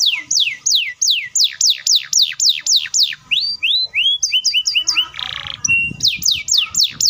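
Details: Canary delivering a long rapid roll to get other canaries singing: fast, repeated descending whistles, a stretch of varied chirps, a brief buzzy burst, then more sweeping notes.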